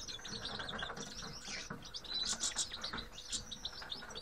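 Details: Several grey-headed goldfinches (Carduelis caniceps) twittering busily, with fast ringing chirps and slurred high notes overlapping, louder toward the middle, above a faint low hum.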